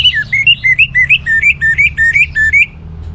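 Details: Orange-headed thrush repeating a short two-part whistled figure about fourteen times in under three seconds, a quick rising-falling warble, performed vigorously to prompt other birds into song.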